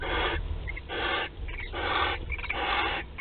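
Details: A Western barn owl at a nest on 15 March 2021, the day its first egg is laid, gives harsh, breathy hisses, each under a second, repeated about once a second over a low background hum.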